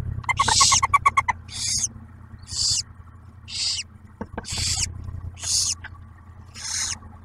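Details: At a barn owl nest in Ottawa National Wildlife Refuge, Ohio, with the male delivering food to female and first owlet: a rapid clicking chatter opens, followed by six breathy hissing screeches about once a second.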